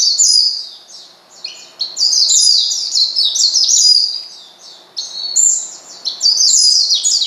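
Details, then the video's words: Rapid, high-pitched chirping from an Oriental white-eye calling to provoke a rival bird, in bursts of tumbling, sliding notes separated by short quieter gaps. "pleci manggil lawan bikin lawan emosi dan edan"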